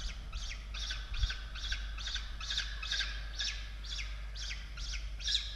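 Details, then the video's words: At an Australian peregrine falcon nest during the chicks' evening meal, 16 October 2022, harsh squawking calls repeat steadily more than twice a second, each a short falling note, with a low hum beneath. "Sokoły wędrowne"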